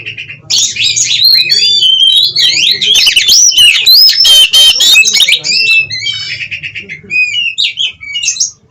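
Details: Oriental magpie-robin in 'gacor konslet ngobra bukor' song, meant to stabilise breeding drive and emotion: loud, varied whistled phrases mixed with harsh buzzy and rattling notes, continuous and dense, fading into scattered twitters at the end.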